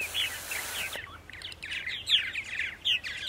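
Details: Many purple martins at colony sites in Center Moriches, Long Island, New York, on an April morning; overlapping chirps and gurgled notes rise and fall steadily, with a brief hiss near the start.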